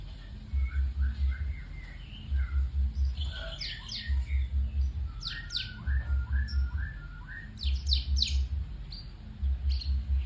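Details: White-rumped shama delivering a rich mix of fluty whistled phrases and quick sharp chirps, set against steady bursts of deep pulsing thumps recurring roughly every two seconds.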